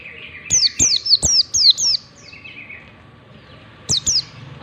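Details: Ngalas-style white-eye song used as a teaching lure for young white-eyes: a quick run of five high, falling whistled sweeps, then a softer buzzy trill, a pause of nearly two seconds and two more descending notes.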